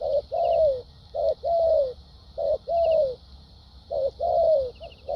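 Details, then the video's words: Spotted dove kept as a caged decoy in Vietnam, singing a structured lèo dặm song: a short coo followed by a long falling note, repeated roughly every second, with faint high ticking in the background. "Đồng tốt tiếng bài bản.clip 870.nết chơi thúc gù,lèo dặm quá hay"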